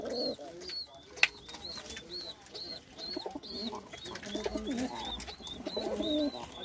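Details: A white Indian Lokkha fancy pigeon gives low, throaty coos in short rolling bursts, mostly toward the end, over steady high squeaky chirps from other small birds throughout.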